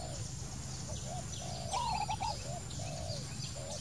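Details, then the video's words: Low, soft coos from a wild spotted dove, drawn-out and falling, are interrupted by a louder higher warbling bird midway, while faint chirps and a low rumble continue. "wild bird, Dove - นกเขาใหญ่"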